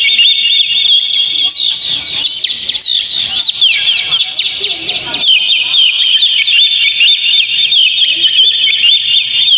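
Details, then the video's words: Oriental magpie-robin lure song: nonstop high warbling packed with sharp chips, slurred whistles and fast trills, steady in volume throughout. "PANCING KACER PLAY ON"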